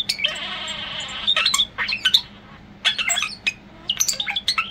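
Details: Pet European starling singing indoors while perched on a computer monitor, as it does daily: a long harsh hissing rattle, then bursts of clicks, squeaks and sharp chirps, with brief pauses between phrases.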